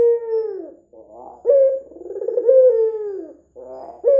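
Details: Red-eyed white dove calling energetically, recorded as a lure to prompt other doves to call: low, rolling coos with a rough stuttering lead-in, each long note sliding gently downward, repeated about every two seconds.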